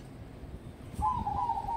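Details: A crossbred zebra dove, kept as a contest prospect, gives one soft, mid-pitched coo, held and slightly wavering for under a second after a quiet start, over a low background hum.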